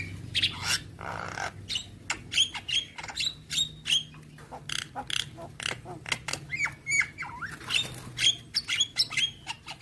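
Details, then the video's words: Javan myna singing non-stop with a song full of varied fill phrases: a dense, rapid string of harsh, rasping broadband notes mixed with short whistled slurs and clicks, irregular in rhythm, over a low steady hum. "Dengar Kicauan Jalak Kebo Maput Full Isian"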